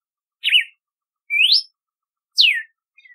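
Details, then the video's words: Three clear whistled notes from a red-cowled cardinal, known locally as cardeal do nordeste: a wavering note, a rising slur and a steeply falling slur, evenly spaced about one second apart, followed by a faint short chip. "Canto do Cardeal do Nordeste / Galo de Campina / Campina | Red-cowled Cardinal"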